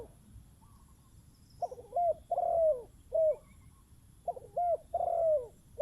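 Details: Decoy spotted dove calling: two clear series of low, rounded coos, each series ending in a longer drawn-out falling note, over quiet background.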